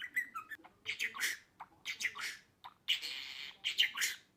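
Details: Budgerigar chatter, played to get pet budgies singing and talking: fast, scratchy warbled phrases mixed with sharp squawks and bright chirps, in bursts with short pauses, in a small indoor room.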